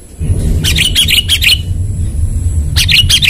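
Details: A sooty-headed bulbul calling to a rival, used as a lure sound, gives quick bursts of bright, bubbly chirps, two short phrases a second apart, over a steady low rumble.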